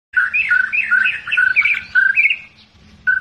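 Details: Albino white-rumped shama from Medan, recorded 9 November 2020, delivering a long song: rich, rapid whistled phrases that swoop up and down, with brief pauses, ending on a fresh fluty note over a faint low hum.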